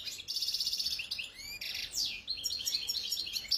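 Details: European goldfinch, wild-type khalwi, 2022: a continuous run of quick liquid twitters, rasping trills and sweeping slurred notes, delivered without a break.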